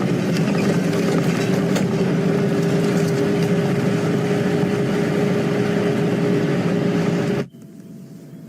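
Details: Loud, steady engine rumble of a vehicle driving outdoors at sunrise. After about seven and a half seconds it cuts off abruptly to a quieter hum, with no animal calls heard.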